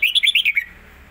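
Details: Red-whiskered bulbul, a caged songbird, delivering part of a rapid competition song: five or six quick, bright, slurred whistled notes bouncing up and down in close succession, then silence.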